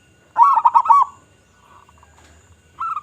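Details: Local zebra dove in Indonesia with a big voice, sung as a lure: a single loud, gurgling cooed burst, then near silence before another phrase begins.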